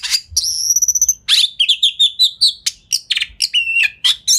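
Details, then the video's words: Varied, rapid lure song of an Oriental magpie-robin with tail open, used to make other magpie-robins reply; a dense mix of high trills, pure held whistles, buzzy notes and quick chips packed back to back with barely any pause. "Pancingan Kacer Gacor Speed Rapat Buka Ekor! Buat Kacer Lain Auto Nyaut"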